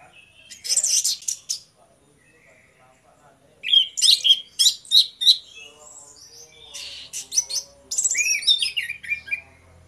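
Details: Lure song of two orange-headed thrushes in 'ngeplong' style. Loud bursts of sharp, quick notes come in three bouts separated by pauses, mixing harsh chips with sweeping whistles.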